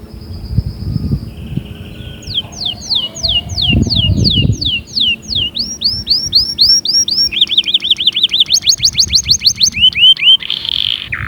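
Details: Canary song meant to spur other canaries into singing: rapid rolling tours of descending whistled notes, then rising buzzy trills and a fast rippling run, each phrase repeated many times, with low background rumble.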